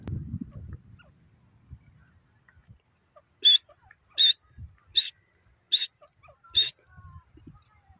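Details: A francolin, called teetar, delivers five loud rasping notes in an even series about 0.8 seconds apart after a quiet start with brief low knocks.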